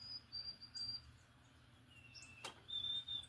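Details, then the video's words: Unidentified bird singing in the morning: thin, pure whistled notes, high and long, with a slightly lower sustained whistle after a brief sharp click; faint, with a low background hum. "What bird is singing the pretty little tune?"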